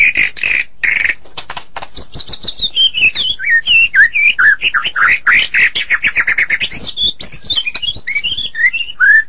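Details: White-rumped shama, Medan type, in full continuous song: harsh buzzy notes opening into a rapid run of looping whistled slurs and sharp chips that dip and rise across the phrase.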